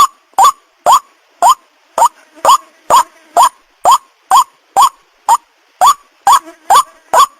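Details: Calling white-breasted waterhen lure used to attract other waterhens of both sexes: a run of about sixteen loud, clipped, rising croaks, evenly spaced near two per second, with soft murmuring notes in some gaps.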